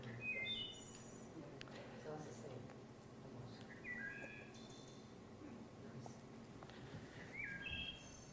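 A Wood Thrush gives clear, flute-like phrases of slurred whistles, repeated every two to three seconds, over a low hum and faint background noise.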